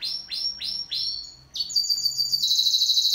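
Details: Pet canary singing in duet: four loud, evenly repeated downward-sweeping notes, a short pause, then a rapid, very high, buzzing trill that carries on to the end.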